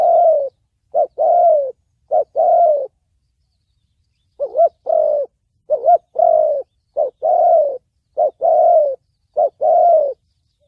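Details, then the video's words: Spotted dove voice in the thổ bầu style, meant for luring and training trap birds: paired phrases of a brief rising note then a longer level coo, repeated steadily with short gaps, nothing else audible. "Tiếng chim cu gáy giọng thổ bầu chuẩn âm mới nhất, kích bổi,đi bẫy, tập mồi"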